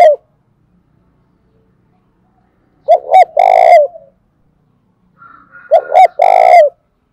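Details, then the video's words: Spotted dove used as a decoy, urging coo: two loud repeated phrases of paired short coos followed by a long, buzzy coo ending in a low trailing note, separated by silence. "tiếng cu gáy mồi chuẩn anh em mà mở lên là cu mồi và bổi gáy theo cả ngày"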